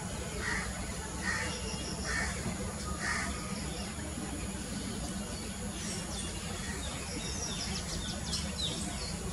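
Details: A Coppersmith Barbet, shown nest-making, gives a few hollow, knocking 'tuk' notes roughly once a second, partly buried under a steady low rumble, with thin chirps from other birds later.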